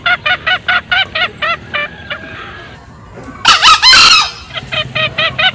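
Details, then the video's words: Male and female green junglefowl cackling in a loud lure recording: a quick series of short clipped notes, a brief pause, a burst of loud rough calling, then more evenly spaced cackles. "SUARA PIKAT AYAM HUTAN HIJAU. SUARA JANTAN DAN BETINA NGEKEK."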